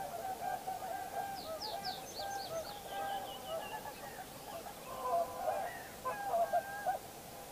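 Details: Distant chorus of common cranes at Heinä-Suvanto nature reserve, Viitasaari, on 26 April 2011, a continuous overlapping trumpeting murmur, with a small songbird's quick descending twittering notes in the foreground early on.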